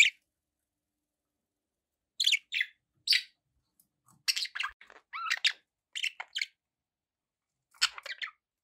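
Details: Pet budgerigars kept as company birds: scattered short buzzy, scratchy chirps in brief bursts with gaps of silence between, several notes clustered near the middle and end.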